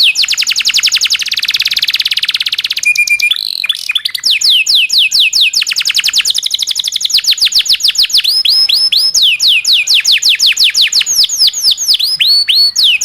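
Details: Local canary delivering a long rolling tutor song for other songbirds: about three seconds of dense, buzzy high trill, a brief flat whistle, then long runs of rapid, sharply downslurred notes repeated many times per second.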